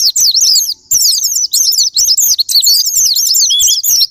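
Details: Japanese white-eye lure song for making silent caged birds sing: fast bursts of thin, bright whistled slurs and twitters, separated by brief gaps every half second or so.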